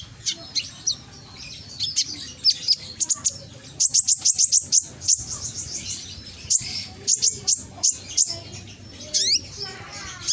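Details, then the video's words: Ringing konin song used as a lure in Gresik, East Java, to make reluctant birds answer; bursts of fast high chirps in quick runs, spaced twittering phrases and a few downslurred whistles near the end. "Pancingan konin yang malas bunyi langsung emosi ikut nyaut"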